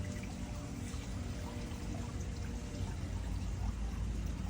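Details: Dense, steady rushing noise like pouring or running water, with a low rumble beneath; no animal voice is heard.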